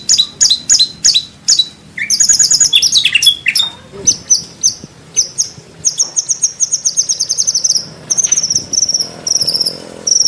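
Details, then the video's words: Murai batu, the white-rumped shama, singing Indonesian training material with no coughing sounds: sharp staccato chips, then long very high rattling trills and repeated buzzy phrases. "MASTERAN MURAI BATU ISIAN MEWAH MATERI FULL TEMBAKAN KOMPLIT TANPA BATUK BATUK.."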